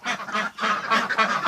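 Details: Domestic ducks shut in a barn on a bitterly cold winter day (about -28°C outside) quack in a rapid, overlapping series, several harsh nasal quacks every second, as females court the drakes nonstop.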